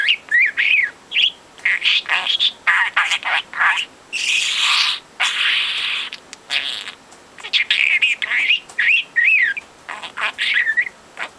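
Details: Chatty young male budgerigar, four months old, reproducing overheard conversation: continuous raspy babble with wavering whistled notes, a long breathy hiss midway, then more looping warbles.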